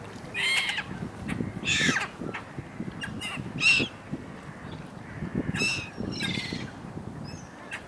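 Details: Gulls squabbling in a large flock by the Dnipro River in Kyiv, Ukraine, in winter: loud, ragged squealing cries burst out roughly every second, some with a clear ringing tone, over steady low-pitched background noise.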